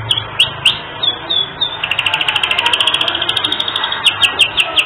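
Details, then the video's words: Canary singing briskly in a distinctive style, recorded as training material for songbirds: scattered sharp chips give way to a long, rapid, even trill, ending with spaced bright whistled notes. "Masteran Kenari 3 Menit Langsung Gacor"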